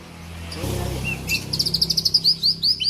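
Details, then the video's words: Oriental magpie-robin of the Argal type, kept in Aceh, Indonesia, starts after a low rumble with a couple of short notes, then a quick run of high clipped chips and slurred whistles. "kicauan Kacer Argal"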